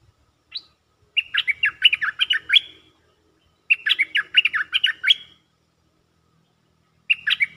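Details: Stripe-throated bulbul lure song from a cage bird, lively and chatty: three phrases of rapid, liquid, rising-and-falling warbled notes, each lasting about one to one and a half seconds, in a quiet background.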